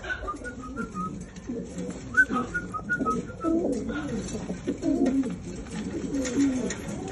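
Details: Homing pigeons wanting to mate: low, rumbling coos repeat through the recording, overlaid in the first half by a series of short, high whistled notes rising and falling.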